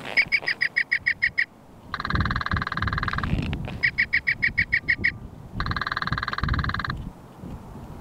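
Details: Northern Flicker in southern Alberta in spring (May) gives its mating call: a quick laughing run of about ten bright, evenly spaced notes, then a rapid drumroll on a branch, repeated once; low rumble underneath.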